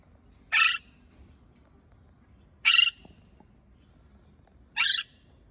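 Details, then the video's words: A pet parakeet gives three harsh, raspy screeches, each about a quarter-second long and roughly two seconds apart, over a faint low background hum. "Parkeet Bird Sound"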